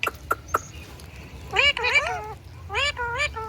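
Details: Indian ringneck parakeet talking and making sounds: three sharp clicks open, then two bursts of nasal, speech-like syllables with wavering, bending pitch, separated by a short quiet gap.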